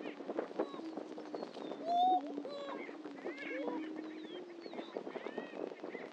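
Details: Lek of greater prairie-chickens on Dunn Ranch Prairie in Hatfield, Missouri: low continuous hooting, one loud whoop around two seconds, then scattered cackles and arched calls.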